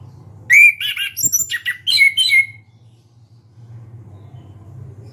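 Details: Loud song of an Orange-headed thrush singing with beak open: a rapid string of varied whistled and chattering notes lasting about two seconds, then quiet with a low hum.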